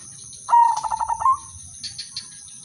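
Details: Udanmas silver zebra dove giving a single melodious lure phrase to prompt other doves to sing: a quick run of pulsed, stuttering coos closing on a slightly higher drawn-out note, followed by faint high chirps.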